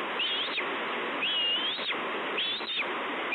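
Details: A hungry bald eagle chick screeches for food at Two Harbors on 30 May 2013. Three drawn-out high whistles, each sliding upward then dropping sharply at the end, sound roughly once a second through constant rushing noise.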